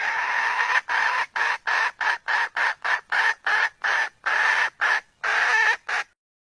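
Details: Wild red junglefowl give a fast run of harsh, squawking clucks, about three a second, some drawn out, rough and mid-pitched, with no other sounds.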